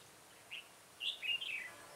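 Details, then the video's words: Red-whiskered bulbul used as a trapping decoy, 7 January 2018; one short chirp followed by a liquid, tumbling phrase of several warbled notes descending at the end. "Bẫy chào mào"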